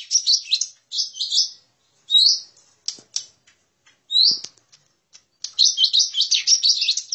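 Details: Lesser green leafbird lure call with quick runs of sharp, high twittering notes, separate down-slurred whistles and a few clicks, ending in a long, continuous rapid chatter.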